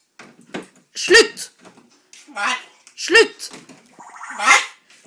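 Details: Pet macaw talking in Norwegian, likely the words for no, thanks, don't bite and here you are; several short, voice-like utterances with pauses between them, spoken indoors.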